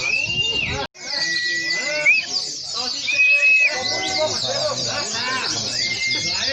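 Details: A crowd of competing white-eyes at a Boja, Kendal singing contest, pouring out high, busy twittered song nonstop, while long flat whistles and men's voices sound lower in the mix after a short cut.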